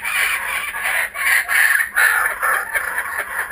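Kookaburras give loud, raucous cackling calls: harsh rapid notes rising and falling in bursts of about half a second, with no other clear sounds.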